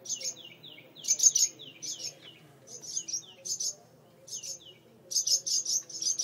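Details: Nest-defending birds at a porch light mud nest holding two chicks, noisy while the front door stays open: repeated high, clipped chirps, each often followed by a short downward slur, ending in a dense chattering burst.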